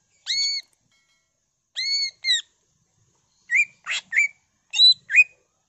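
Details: Greater green leafbird singing with mimicked fills: ringing, slightly bowed whistled notes in ones and twos, followed by short buzzy chirps and a harsh rasp.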